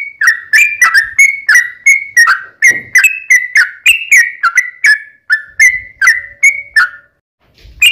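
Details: Sooty-headed bulbul singing a long, full-length song used to draw replies from other bulbuls: rapid chains of liquid whistled notes alternating in pitch, slowing toward the end before a brief pause and a soft thump.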